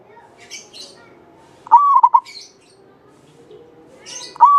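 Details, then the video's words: Javanese local zebra dove, singing eagerly with a long, clear voice, used to lure other doves. One clear phrase, a rising coo followed by three short rolling notes, then another phrase begins. Thin high twitters from other small birds sound between them. "Perkutut lokal jawa gacor buat pancingan suara panjang bening"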